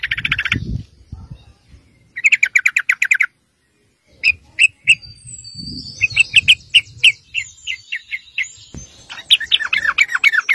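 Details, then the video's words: Sooty-headed bulbul in continuous 'ngeropel' song, used to lure other bulbuls into answering; fast trilled bursts and scattered chirps broken by short silences, with low handling thumps and a thin high whistle. "PANCINGAN TRUCUK GACOR NGEROPEL"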